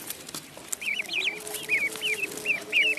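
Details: Duckling in a pond, silent at first, then a rapid run of high, curved peeps, some doubled, continuing to the end over a faint low hum.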